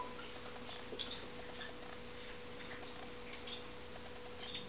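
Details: Hungry Fife canary chick, the only survivor of its clutch and hand-fed after its mother stopped feeding, begging with thin, high squeaky chirps in quick, irregular bursts over a steady low hum and faint room noise.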